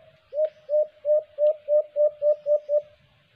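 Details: White-eared brown dove during a trapping attempt: a clear, loud series of nine rising hooting notes, about three per second, each swelling then fading, with little background noise.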